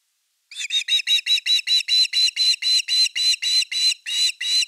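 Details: Osprey calling at the nest, evening fish, 30 August 2021. After a brief pause it gives a steady run of about fifteen clear whistled notes, evenly spaced and loud throughout.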